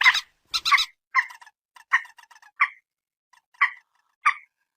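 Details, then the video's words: Common moorhen (mandar batu), phone recording: opening cackle of harsh notes, then single nasal honking calls spaced out at roughly half-second to one-second intervals, gradually thinning. "suara burung PERUK/ MANDAR/ TIUNG"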